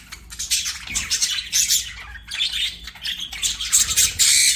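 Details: Pet budgie warbling in high, rasping phrases broken by short gaps, ending in a loud squeaky flourish.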